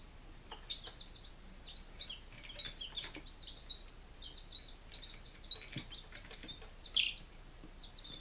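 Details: Day-five chicks, Lunenburg, Massachusetts, July 2017, making dense, overlapping high peeps almost without pause, with one louder cheep near the end and light tapping.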